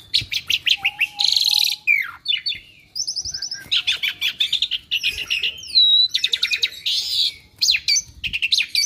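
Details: Chattering Asian pied starling, a kept bird skilled at imitating other species, delivering dense bursts of clicks and chirps mixed with whistled swoops, one long steady low whistle and a short rising whistle.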